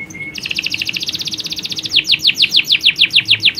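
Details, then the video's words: Male and female canaries in a colony, females calling males; a brief whistle, then a rapid even trill that shifts into slower repeated downward-sweeping notes. "Kicauan Kenari Koloni Jantan&Betina!"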